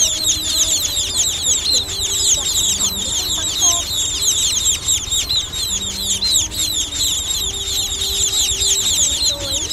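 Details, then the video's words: Young munias calling, used as a lure for net trapping: a dense, continuous chorus of high, sharp chirps and twittering notes, many overlapping callers with no pauses, low hum underneath. "Tiếng Sắc Non Kêu"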